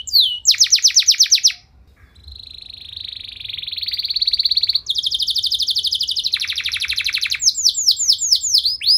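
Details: Actively singing canary with long drawn-out tours and ornate phrasing, provoking other canaries: a fast rolling trill, a short pause, a long buzzy sustained trill, another dense trill, then sweeping whistled notes.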